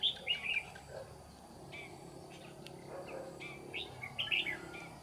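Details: Trapping scene with a red-whiskered bulbul decoy in 'ché' song style luring wild birds: a quick warbled phrase at the start, faint notes in between, and another bright chirpy phrase near the end, over low hiss.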